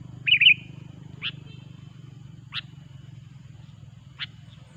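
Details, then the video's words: Sooty-headed bulbul, an active, loud singer used to attract bulbuls for trapping: one short gurgling warble at the start, then three isolated sharp clicks spaced over the rest, with low background hum. "suara burung kutilang gacor pikat terampuh"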